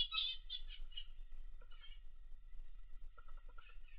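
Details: A pet Australian zebra finch relaxing in its owner's workspace gives short, nasal, toy-trumpet beeps over a low indoor hum; Zebra finch.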